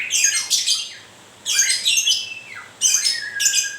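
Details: Moulting white-rumped shama producing three loud, squawking, rasping phrases separated by pauses, with faint lower whistles.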